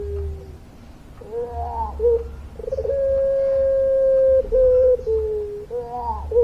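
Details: Puter pelung Barbary dove singing its long coo: wavering rolled notes, then a level, drawn-out tone of about one and a half seconds, followed by shorter dipping coos and another rolling phrase.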